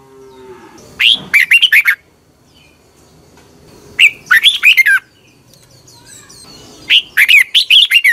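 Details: Morning training song of a red-whiskered bulbul: a low drawn-out note opens, then three energetic phrases of chattering, downslurred whistles come about three seconds apart.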